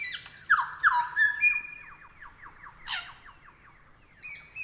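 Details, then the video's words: Lyrebird song used as tutor audio: bright whistled notes open into a long, rapid chain of soft downslurred notes. A harsh burst cuts in near the middle and high chirps close the passage. "Masteran Burung Lyrebird"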